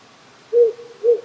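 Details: At night in the Japanese countryside, a wary wild owl resident on nearby hills since spring gives two soft low hoots roughly half a second apart, with a brook's constant hiss beneath.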